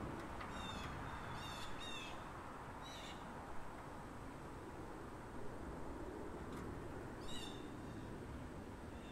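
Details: Vocal bald Blue jay calling in a residential neighbourhood. A quick cluster of slurred harmonic notes opens, then isolated calls follow after longer pauses, with a few faint clicks and persistent low background hum.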